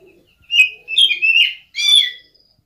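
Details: Oriental magpie-robin lure song, played to make other birds sing and described as cat-like: a short clear whistle, then a slurred mewing phrase that rises and falls, and a final buzzy, harmonic-rich note, over a silent background.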